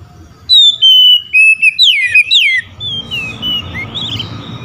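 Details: Oriental magpie-robin singing to call out rival magpie-robins: loud clear whistled phrases, rising then falling slurs around high pitch, notes in quick bursts for about two seconds, followed by softer answering whistles.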